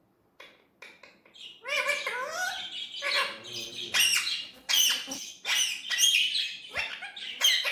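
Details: Indian ringneck parrot talking in a natural voice: a dense run of harmonic, speech-like syllables with rising and falling glides, after a few short clicks at the start, in a quiet setting.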